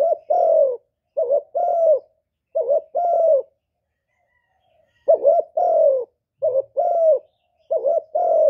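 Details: Spotted dove cooing to draw wild birds to a trapping spot: repeated phrases of a short note and a longer, hollow, level coo, given in groups separated by a pause of over a second, no other sounds.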